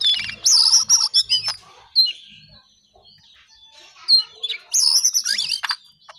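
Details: Shortwing known locally as cingcoang coklat delivers short loud bursts of high squeaky whistles and twitters separated by quiet spells of several seconds.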